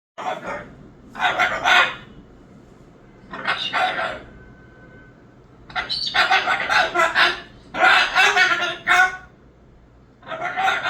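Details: Moluccan cockatoo giving loud, harsh, raspy screeches in about six separate bursts, each roughly half a second to a second long, with quiet gaps between them.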